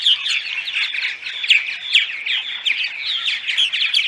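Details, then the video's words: Purple martin dawn song, for luring migrating martins to nest sites: bright, chattering chirps and gurgles, several birds at once, with occasional sharper, ringing notes rising above the steady chorus. "Dawn Song CD - Purple Martins"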